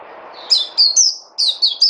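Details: ['A songbird gives bright, high chirps in two short bursts, each note sliding downward, over a soft low rumble.']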